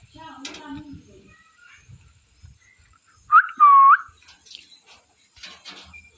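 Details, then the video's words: A parrot gives two loud, clear whistled calls in quick succession, each bending upward at the end, with a short low voice-like sound just before. "Parrot Chirping Sounds | Natural Parrot Sounds | Parrot Calling Sounds"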